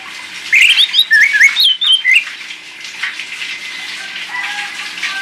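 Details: Orange-headed thrush singing a lure song meant to prompt silent birds to sing: a quick burst of rising and falling whistled notes for about two seconds over steady hissing background noise.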